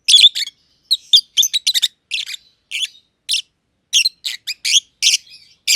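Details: Lovebirds, a green personata and a green pied personata kept together in an aviary, making a long stretch of shrill scratchy chirps, some doubled, spaced irregularly with short pauses.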